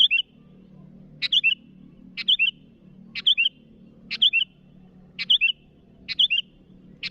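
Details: Bulbul, the sooty-headed species, calling out rivals with repeated bright phrases: a snap then a pair of warbling whistles, heard about seven times in steady rhythm against a quiet humming background.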